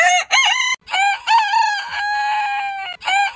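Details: Rooster crowing from a heritage breed compilation, spliced into almost continuous bursts: short rising syllables, then a long drawn-out steady note, with abrupt cuts between segments.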